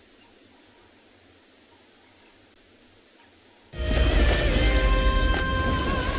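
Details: Quiet static hiss gives way midway to loud music with sustained tones and a low rhythmic pulse.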